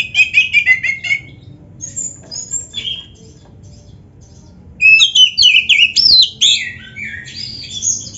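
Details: Oriental magpie-robin, black-breasted kacer, delivering a rich gacor song used to train and stimulate other kacer: quick chattering notes, scattered high squeaks, then a loud tumbling series of whistled, swooping phrases.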